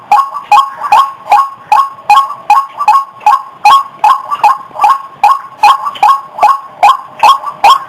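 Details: White-breasted waterhen lure call: a harsh, clicking note with a short rising tone, repeated steadily about two and a half times per second, roughly twenty notes in a fast, monotonous series.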